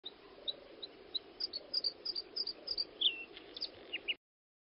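Bluethroat song: a quick, irregular run of thin, high chirps and short ticking notes, with a few lower, sharper phrases near the end, over a soft background hiss.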